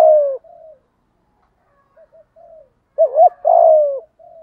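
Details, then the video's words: Decoy spotted dove cooing in the 'giọng thổ' style to make wild doves call: the tail of a falling coo, several soft muted notes, then one loud phrase of two wavering notes and a long sinking coo. "cu gáy giọng thổ đầy đủ bài bản, giúp những con bổi cứng đầu ức chế và nhạy gáy"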